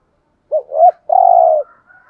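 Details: Single thúc gù phrase from a decoy spotted dove: a short low note, a rising swelling note, then a long level mellow coo, with faint higher tones trailing afterward.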